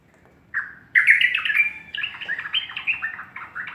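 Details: Sooty-headed bulbul in morning song: a brief opening note, then a rich, bubbling chatter of fluty whistles rising and falling rapidly, continuing without pause to the end.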